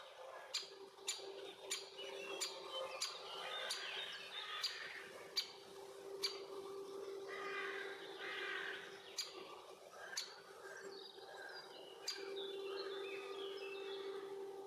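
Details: Great spotted woodpecker, a young male with its mother at a nest hole shared with bees in Puszcza Bydgoska forest near Bydgoszcz, Poland, June–July 2023: sharp, short clicking calls repeated every half-second to second over a steady low hum and twittering birds.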